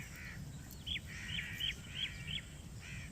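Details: Black francolin answering a played call: a quick series of five or six harsh, scratchy notes with a rising squeaky edge, spaced about half a second apart, fairly distant, over steady low rumbling background noise.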